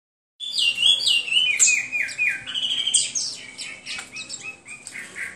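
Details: Hwamei song: a loud, varied run of clear whistled phrases, many notes sliding down, repeated rapidly at about four per second, rich and melodious with little background noise.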